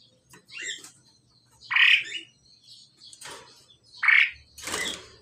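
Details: Male and female pied myna kept together for pairing, giving loud harsh squawking notes spread across the clip, each a short burst with softer scratchy notes between them.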